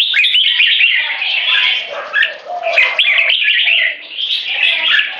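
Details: Rival caged Red-whiskered Bulbuls, one 3.5 and one 7 years old, battle for territorial dominance with butir frequency singing and gaya display. Rapid chattering whistles overlap nonstop, with a brief dip near the middle.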